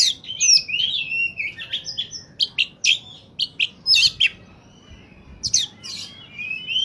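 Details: A lure-song oriental magpie-robin in top form pours out a dense stream of high whistles, slurred notes and rapid clicking chirps. A brief pause follows, then more sharp notes and a rising whistle.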